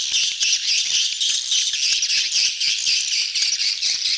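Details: Swiftlets crowding together to mate, "betompok" lure sound: shrill rattling chatter in rhythmic surges about four times a second, dense and high throughout.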